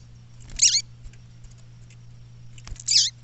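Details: Female double-collared seedeater calling in the bush: two brief, sharp, very high chips about two seconds apart over a steady low electrical hum.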